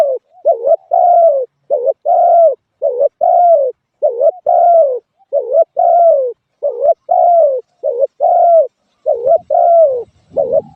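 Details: Spotted dove cooing steadily: pairs of a short wavering coo and a longer, drawn-out coo that slides downward, repeated about every second with short silences, low and mellow, with no other sounds.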